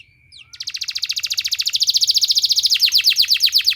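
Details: Canary song used as a therapy sound for training canaries: a faint whistle, then a loud, fast rattling trill of rapidly repeated notes that turns lower and coarser near the end, over a faint steady high tone.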